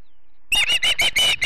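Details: Ospreys at the Charlo nest in Montana on a September morning, 2016, live nest cam; after half a second of quiet, a quick run of five or six harsh, whistled chirps.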